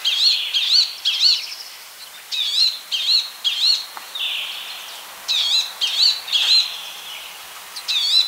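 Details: Palestine sunbird singing: a run of high, wavy, trilled phrases, each under a second long, repeated about twice a second with short gaps. Some notes are plain, some sharply warbled.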